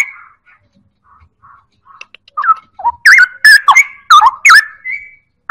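Straw-headed bulbul: a few soft whistles, then a loud, rich burst of bubbling, swooping notes tumbling quickly up and down, ending on a clear held whistle.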